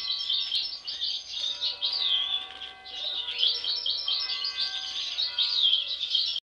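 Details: Sibling European goldfinches, two carrying an abnormal mask since birth. A continuous high twittering chatter plays over faint steady background tones.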